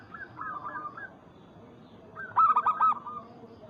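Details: Local zebra dove calling a rival, used as a lure recording: two short runs of quick, hooked, rising-falling coo notes, the second louder with a bright, ringing quality, over a faint background hiss.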